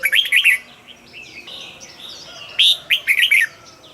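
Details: Caged red-whiskered bulbul singing two short bursts of rich, rolling whistled notes, with faint chirps from other birds in the quiet gap between phrases.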